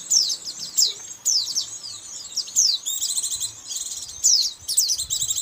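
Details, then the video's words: White-eye lure sound used by bird trappers to attract white-eyes: high, thin chirps and quick downslurred twitters in dense bursts, repeated roughly every second, with faint low background noise. "suara pikat burung pikat pleci"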